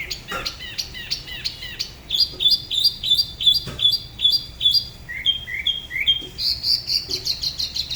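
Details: Solo song of a tiểu mi, or spot-throated babbler, from Dalat, Vietnam, La Ba river, sung in an unusual local manner. Sharp ticking notes give way to repeated paired high notes, then lower slurred whistles and a closing high flourish.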